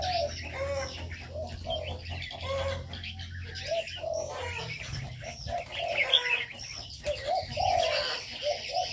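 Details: Caged birds in an aviary calling together: a steady series of mellow cooing notes, some rising slightly at the end, mixed with scattered high chirps and brief rustling of wings.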